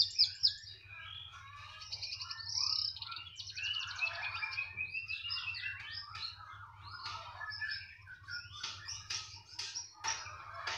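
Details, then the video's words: Dense, varied song from a canary said to sing freely anywhere: chirps, buzzy rolls and warbled phrases run together without pause, over a steady low hum. "Kenari *SPECIAL*,, mau di taruh di mana saja tetap gacor"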